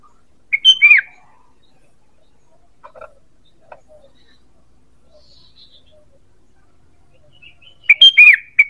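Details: ['Sooty-headed bulbul call used to lure birds: a bright whistled phrase of three quick notes with a falling, slurred end, heard at the start and again after a long near-silent gap with faint taps.']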